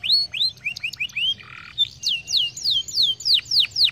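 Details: Canary song to stimulate singing: upslurred whistled notes, a brief harsh buzzy note, then a rhythmic series of loud downslurred whistles repeated several times a second.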